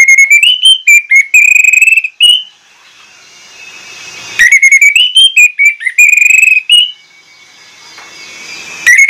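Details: Loud, insistent Orange-headed thrush lure song in pancingan style, showing off its repertoire. Strings of rapid, clear whistled notes with level and upslurred tones come in two long bursts, separated by quiet gaps.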